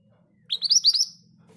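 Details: Short rolling phrase from a Scarlet minivet, a bird said to sing readily even in a crowd of birds: five bright, rising whistled notes in quick succession over a faint low hum.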